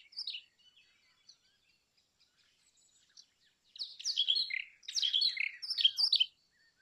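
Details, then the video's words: Brown rock chat: a few faint notes, then three loud bursts of rich, jumbled chirping and warbling, each lasting under a second. "Brown Rock Chat Call Brown Rock Chat Song , Sounds Brown Rock Chat Voice"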